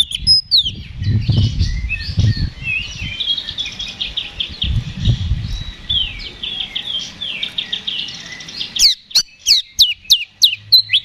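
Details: Oriental magpie-robin (kacer) singing in full fighting mode, played as bait to rouse other magpie-robins. A long run of varied whistled and buzzy phrases over low rumbling background noise, then a burst of sharp, steeply falling notes near the end.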